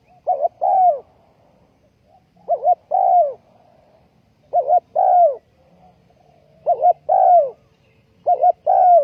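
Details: Spotted dove used as a ground decoy bird for trapping wild doves, recorded 20 April 2020, giving clear mellow coos. Each phrase is a quick double note followed by a longer, falling note, repeated about every two seconds over quiet background.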